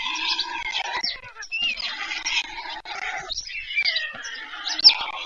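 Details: At a white stork nest near Pyriatynskyi National Nature Park, Ukraine, chicks fed in the evening of 21 July 2024 give steady nasal, whining begging cries with short gaps between them.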